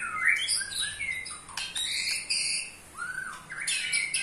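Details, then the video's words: An 8-month-old white-rumped shama (murai batu) gives its rattling call, pouring out rapid, varied whistles and rattling trills with sharp rising and falling notes in quick succession; no other sounds stand out. "Bikin EMOSI murai Lain"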